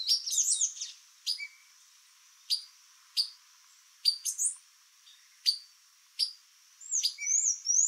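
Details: Yard in Brazil visited by a female white-lined tanager plus sayaca and palm tanagers; a quick twittering burst opens, followed by isolated sharp high chips every second or so and more twittering at the close.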